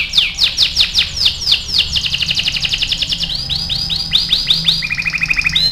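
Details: AF canary in full song for training: falling chirps leading into a fast steady trill, then looping whistled notes and a lower rapid rattle.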